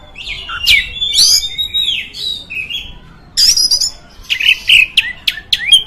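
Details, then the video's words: Oriental magpie-robin song, meant to stir other magpie-robins: scattered loud whistles and harsh sweeping notes, a short quiet gap, then chattering and sharp downslurred whistles. "Suara Burung Kacer, Buat Memancing Burung Kacer Anda Emosi."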